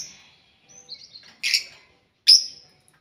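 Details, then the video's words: Several lovebirds kept together in one cage, noisy and actively calling; a few sharp, shrill high chirps separated by short silences, with a fainter buzzy chatter before them. "Ginilah Akibat Burung Lovebird Di Buat Satu Kandang Bikin Ribut Sampek Gacor Kali"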